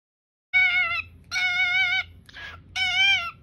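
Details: Cockatiel giving three long, steady whistled calls with rich overtones, each lasting about half a second, with a brief harsh rasp between the second and third calls.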